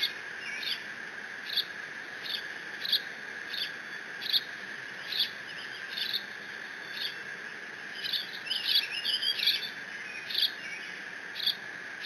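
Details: Decorah bald eagle eaglet mantling Dad's fish alone in the nest, June 30, 2017. High squeaky notes repeated roughly every half second, with a quick twittering flurry near the end, over steady background hum.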